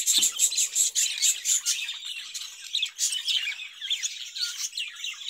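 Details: Opens with a string of evenly spaced, high, piping notes from caged budgerigars, then shifts into a looser, rambling warble of chirps and soft squeaks.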